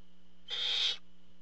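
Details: A single harsh, rasping screech of about half a second from a barn owl at a camera-watched nest while the father brings food, steady low hum behind it.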